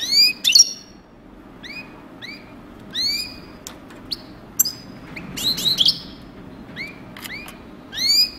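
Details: European goldfinch, called a 'coupleur', repeating upward-sweeping tinkling notes and short twittered phrases every second or so, with a denser chattering passage midway, set against a low background hum.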